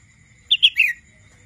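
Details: A single brief phrase from a young wild red-whiskered bulbul learning to sing: three quick, clear whistled notes, the last slurring downward.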